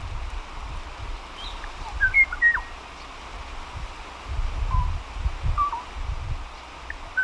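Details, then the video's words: ʻŌʻō (Moho), an extinct genus of birds endemic to the Hawaiian Islands, singing sparse, clear whistled notes, some sliding down, spaced a second or two apart, over a steady low rumble. "Moho sounds, moho singing"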